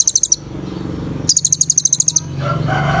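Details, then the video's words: Kolibri ninja (sunbird) in vigorous song: a short burst of very high, rapid ticking notes, a pause, then a longer fast run of the same notes. A low rumble continues behind. "TERAPI KOLIBRI NINJA GACOR FULL ISIAN TEMBAKAN BIKIN KONIN BAHAN BUNYI"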